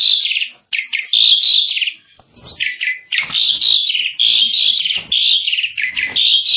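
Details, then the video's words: Loud, nearly continuous Asian pied starling song from a 2022 tutor recording for training birds. Buzzy, grating phrases are interwoven with bright whistled notes, with only brief gaps between them. "Kicau burung jalak suren |Burung kicau jalak suren masteran|jalak uren gacor 2022"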